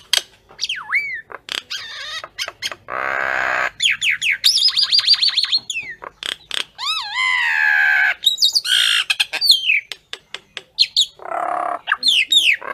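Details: Calling to gather the flock, a common myna mixes harsh rasping croaks, sharp chirps and swooping whistled notes that rise and fall, in a fast, irregular, varied stream of sounds.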